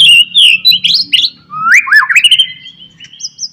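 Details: White-rumped shama singing in the morning to provoke other shamas into song: fast warbled high notes, a rising slurred run and quick tumbling notes, with a faint low hum behind.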